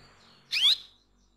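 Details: A single clear rising chirp from a female canary calling to lure a male, the note sweeping upward and ending in a thin high whistle, with faint background hum before it.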